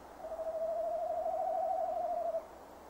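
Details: Male tawny owl calling at a nest box camera site on 15 December 2015 around 17:10: a single long, wavering, quavering hoot held at one mid pitch for about two seconds, then silence.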